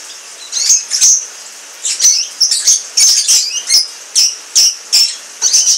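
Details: A pair of Orange Frost canaries giving short, bright song bursts, about two each second, each a quick high chirp or brief trill, separated by near-silence, with faint clicks between phrases.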